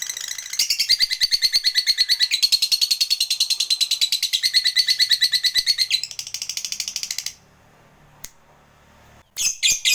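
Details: Lovebird chatter meant to draw a fighter lovebird into long calling, a fast continuous rattle of high buzzy notes for about seven seconds, then a pause and a burst of sharp squawks at the end.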